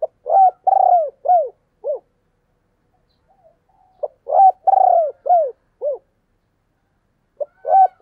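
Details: Repeated phrases from a spotted dove calling in the thúc and gáy gọi styles. Each phrase is a short pip, a rolling drawn-out coo and descending hoots. The phrases repeat about every four seconds, with a third starting at the close. Quiet setting.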